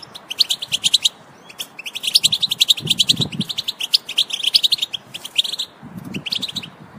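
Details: European goldfinch vocalizing to stimulate other goldfinches into song: fast tinkling twitters and buzzy trills in quick bursts separated by short gaps, with faint low rustling underneath.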